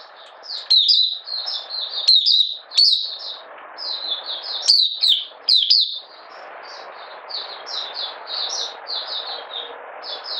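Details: Caged Oriental white-eye from Malaysia in minor moult, recorded 31 July 2023, pouring out 'buka sing' song: an unbroken stream of high, rapid twittered notes over a steady background hiss.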